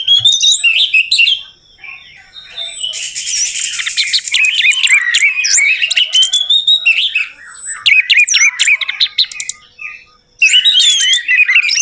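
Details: Orange-headed thrush song played as a lure to prompt a quiet bird into singing, a loud, continuous medley of varied whistles, slurs and high sweeping notes with short gaps between bursts.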